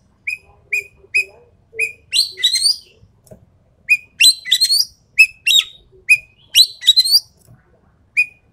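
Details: Song of a Javan pied starling, a series of sharp single whistles at steady intervals breaking into grating, chattering bursts, then more clipped whistles and scratchy phrases.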